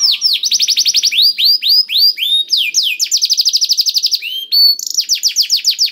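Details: Canary song played to coax slow or silent canaries into singing; a fast, continuous run of high rolling trills, each phrase a burst of quick identical notes before shifting to a new, higher or lower trill.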